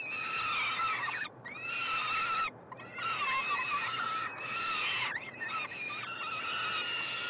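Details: Three peregrine falcon nestlings being fed at the University of Montreal nestbox, June 2022; around six grating, tonal cries with sliding pitch, one followed by a short silence midway.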